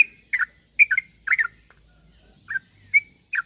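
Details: Yellow-vented bulbul call used to get other bulbuls to respond: irregular bursts of bright, slurred chirps, some doubled, separated by short gaps, with a faint high hum throughout.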